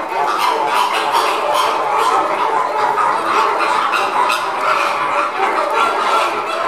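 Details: Caribbean flamingos at feeding time; a steady, crowded din of overlapping goose-like honks and grunting chatter from a large group, unbroken across the whole stretch.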